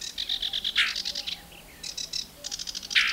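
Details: Angry sedge warbler singing close to a microphone set on the bush where it perched, a bird that tried to steal the mic's wind protection; rapid chattering runs of repeated high notes broken by harsh, grating bursts and short pauses.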